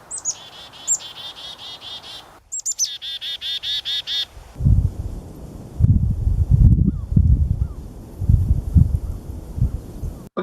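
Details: Black-capped Chickadee giving two bursts of its call, a couple of high thin chip notes then a rapid run of buzzy dee-dee-dee notes; low rumbling noise and a crow faintly calling in the background.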